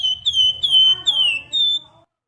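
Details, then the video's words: Javan grey-throated white-eye, used as master song for training cage birds, gives a clean series of about five high whistled notes, each slurring gently downward, with faint low rumble beneath. "BURUNG WERGAN JAWA GACOR COCO JADI PANCINGAN MAUPUN MASTERAN"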